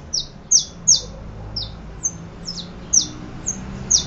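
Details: Saffron finch giving bright, high chip notes that drop quickly in pitch, delivered in an uneven string of about nine notes with brief gaps, low background rumble beneath.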